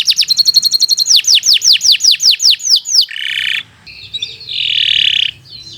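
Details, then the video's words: Canary singing for a tutor recording: about ten loud downslurred whistles at a steady pace, followed by a harsh buzzy phrase and a lower rasping roll. "Kicau Burung Kenari 123 II LUAR BIASA GACOR PANJANG Cocok untuk Masteran"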